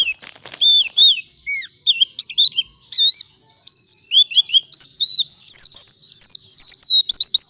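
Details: Singing white-eye in the morning, varied high whistles and chips delivered unevenly, building into a faster, denser warbling run toward the end.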